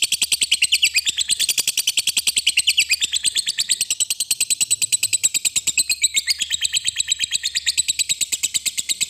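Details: Long 'ngekek' chatter of a fighter lovebird, used as a lure so other lovebirds sing along: an unbroken, very fast, shrill rattling trill of buzzy notes sustained throughout.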